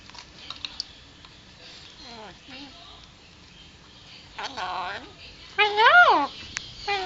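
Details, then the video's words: Talking male Alexandrine parrot, three years old and kept as a pet. Soft scattered clicks and short wavering syllables lead to two louder harmonic, speech-like phrases near the end, the last one strong and arched. "Talking Alexandrine Parrot"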